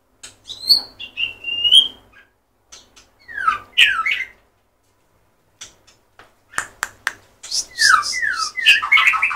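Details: White-rumped shama song: loud varied whistles and downslurred notes in bursts, broken by a quiet gap, ending in a dense burst of overlapping chattering notes.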